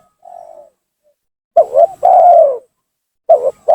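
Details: Spotted dove lure call for drawing rival doves down: a soft coo, then a loud phrase of two quick stuttered coos and a long falling coo, with a new double coo starting at the end.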